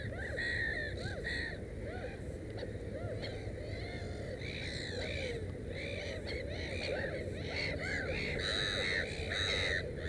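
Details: Black-headed gulls at a nest with three chicks give harsh, rasping, crow-like calls that overlap constantly, several birds calling at once over a steady low rumble.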